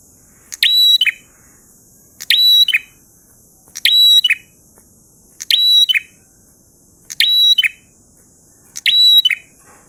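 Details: Prinia in full, lively 'ngalun' song: six evenly spaced bursts of fast stacked ticks finishing with a sharp high slurred note, roughly every one and a half seconds, with constant high-pitched background hiss.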